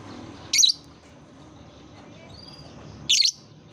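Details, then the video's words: Lovebird recording used as a therapy lure to prompt young lovebirds learning to sing; two shrill, high, harsh chirps roughly two and a half seconds apart over a quiet background hum. "Suara terapi lovebird | kicau terapi lovebird paud"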